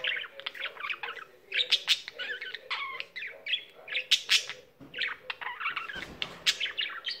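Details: Pet budgerigar singing nonstop: a dense chattering warble of short clicks, chirps and buzzy trills, packed rapidly with few pauses, bright and high throughout.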